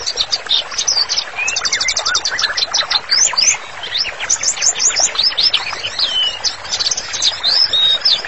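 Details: White-rumped shama singing energetically as a training master: dense, varied high song with rapid trills, quick rising and falling whistles and sharp chips, delivered without pause.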